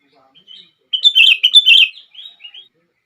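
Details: Sooty-headed bulbul singing, a recording meant to provoke other bulbuls into song: a single lively phrase of quick, rolling chirps, preceded and followed by faint soft notes.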